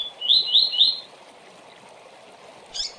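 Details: Double-collared seedeater singing the fast tui-tui song style, played for training young birds for tournaments: three quick repeated whistled notes, each sliding up then down, then a pause and one short buzzy note.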